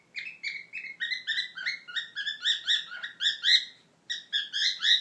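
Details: A pet cockatiel (Nymphicus hollandicus) sings to a person's foot before fighting with it: a rapid run of bright, chirping whistles, about four notes each second.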